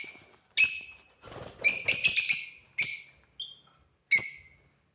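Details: Playing African lovebird with harsh, shrill chirps and a longer raspy chattering burst in the middle, then more piercing single notes.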